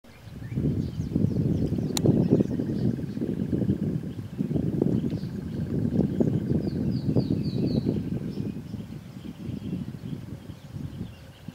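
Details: Southern ground hornbill (Bucorvus leadbeateri) in Kruger National Park, South Africa, on 21 December 2010, giving deep, low booming notes in uneven bursts, with a thin, high twittering bird faintly behind.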